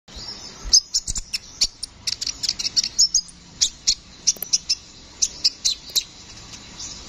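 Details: Brown-throated sunbird, known locally as kolibri ninja, singing actively in a rolling, continuous style. Rapid series of sharp, very high chips and short metallic ticks, irregularly spaced, some in quick clusters of two or three over seven seconds.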